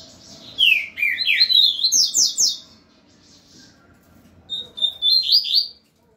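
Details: Two double-collared seedeaters facing each other; a firm bird, three to four years old, sings a fast string of loud slurred whistles stepping upward, pauses about a second, then resumes with held notes and rising sweeps.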